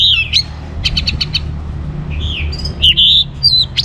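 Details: Singing orange-headed thrush, played to encourage other birds to sing: bright whistled phrases broken by quick ticking bursts and sliding rising-falling notes, low hum beneath.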